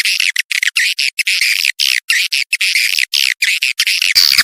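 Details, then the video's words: Attracting swiftlets with a lure: a rhythmic series of rasping, buzzy bursts, each about a quarter second long, separated by short gaps. A sharper squeal comes at the close. "suara panggil walet"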